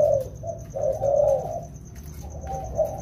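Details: Two wild-caught spotted doves in rainy-season training give brief, soft coos at low pitch. A quieter, murmured stretch comes in the middle, over a low rumble and a faint high pulsing tone.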